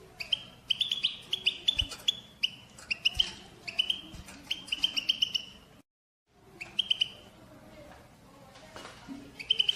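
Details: Group of European goldfinches giving batbata chatter, used to stimulate males to sing and breed: bursts of bright, tinkling twitters and high trills, briefly breaking off to silence midway before resuming with sharp chirps.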